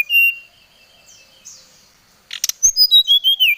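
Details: Agitated brown-chested jungle flycatcher calling to an opponent, giving one clear whistled note, a quiet gap with soft distant chirps, then a brisk string of high slurred whistles falling in pitch, with a short rustle before.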